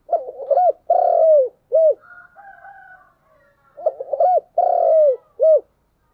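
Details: Decoy spotted dove calling in the morning, giving two full cooing phrases of quick stuttered coos, a long falling coo and a short closing note, with faint higher bird chirping between phrases.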